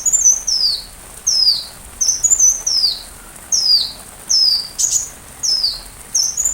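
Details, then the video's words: Sunbird song recorded as teaching material for white-rumped shamas to learn from: thin, high, falling whistled notes in a steady series about one per second, with a brief sharp chip near the middle. "Masteran Rajanya Isian Kolibri"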